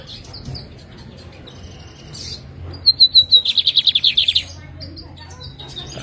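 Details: Lined seedeater kept by its owner in Jataúba, Pernambuco, Brazil, at 3 pm on Friday, 11 November, readying for a morning contest. After a quiet stretch it sings a few clear high whistles that break into a rapid buzzy trill.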